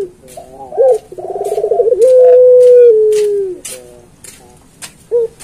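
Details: Puter pelung dove singing a training master: a rapid pulsed trill flows into a long, gently falling coo, ending with short hooked notes. Sharp clicks and knocks sound through the recording.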